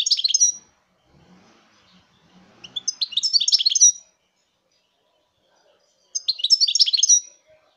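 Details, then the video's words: A European goldfinch sings in 2019: three short, bright phrases of fast jingling twitters, each about a second long, spaced roughly three seconds apart, with a faint low murmur in the first gap. "chant chardonneret 2019"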